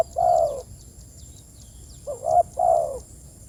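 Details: Spotted dove calling to its companions: a single drawn-out low croo, a pause, then a quick short coo leading into another long mellow croo, with soft distant high chirps.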